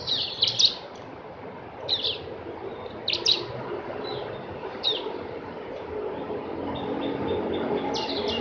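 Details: Javan grey-throated white-eye, known locally as opior jawa or cak gentong, uttering scattered sharp, high chirps in small bursts every second or so. A constant rushing noise fills the background.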